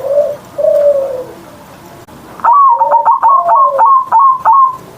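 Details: Zebra dove (perkutut) singing in the morning, a kept bird used to coax silent birds to sing. Two soft low coos give way to a loud rapid stuttering series of bright coos with falling tails.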